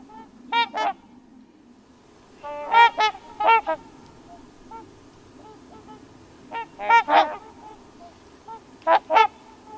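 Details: Trumpeter swans on a pond at Crex Meadows, western Wisconsin, in mid-October, under dark clouds with low sunlight after rain, give brassy, horn-like honks, often in quick pairs, every couple of seconds over a low steady rumble.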